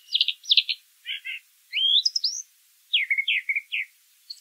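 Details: Wild brown thrasher singing outdoors, delivering a string of distinct phrases, buzzy doubled notes, a rising slurred whistle, then a set of quick repeated chirps, each phrase separated by short pauses.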